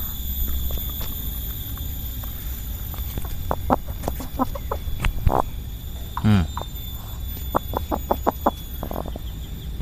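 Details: A sick chicken with a runny nose and mucus, one day into a respiratory illness, makes short, weak crackling clicks and rattly breaths in scattered bursts, with a low hum underneath and a brief louder rasp midway.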